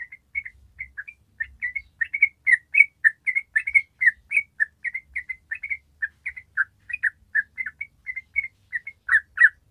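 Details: Yellow-vented bulbul (trucuk) singing its long, rapid 'ropel' song, used as a lure for untrained birds: a fast, uneven run of short bubbly chirps, about three or four notes a second, with faint low thumps beneath.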